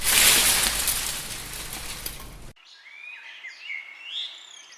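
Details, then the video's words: Wind gusting through leaves roars loudly for the first half, then cuts away to quieter bird chirping: high, quick whistled notes and short trills over a faint hiss. "Wind blows leaves, leaves bird chirping sound"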